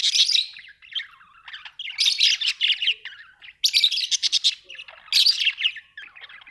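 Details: Australian budgie parrots chirping in a lively chorus: bursts of bright, high warbling chatter and squawky twitters, roughly every one to two seconds, with quieter chirps between the louder bursts.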